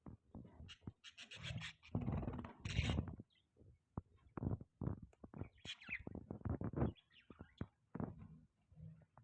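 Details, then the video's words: Pet budgerigars chirping: rapid, broadband chattering chirps and short harsh notes in uneven bursts, with a dense chatter around the two-to-three-second mark, brief pauses between, and a low background rumble throughout. "Beautiful Budgie Chirping Sounds"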